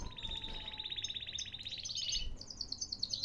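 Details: Short stretch of caged canary song from Baghdad, Iraq: a steady pulsing mid-high trill that rises into quicker, higher repeated notes, with a faint low tone beneath.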